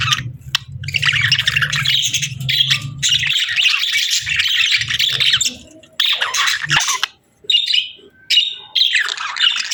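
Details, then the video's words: Domestic budgerigars warble in long buzzy chattering phrases broken by short silences, with a low hum in the opening seconds. "Sweet Budgie Chirping Sounds"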